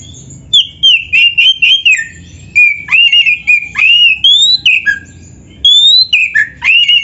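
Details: White-rumped shama song, loud 'gacor isian' style with varied fill phrases, meant as a master for training: bursts of rich whistles, trills and quick slurred notes, broken by brief pauses over seven seconds.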